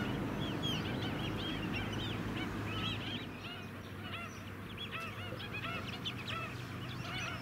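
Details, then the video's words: A flock of White-headed (Black-winged) Stilts on mudflats at Scarborough, Queensland, in July 2017 gives a dense, overlapping chorus of sharp yapping notes, several each second, over a low steady rumble, possibly engine noise. "White-headed Stilt"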